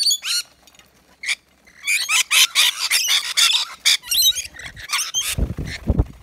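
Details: Rainbow lorikeets, native Australian nectar feeders, crowding a balcony feeder of wet lori mix; dense, shrill, grating screeches come in rapid overlapping bursts, with some low knocking near the end.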